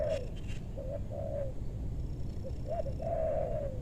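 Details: Wild spotted dove lured in a meranti forest, western Bogor: a string of low coos, short notes leading into a long, slightly falling final coo, over steady low background rumble.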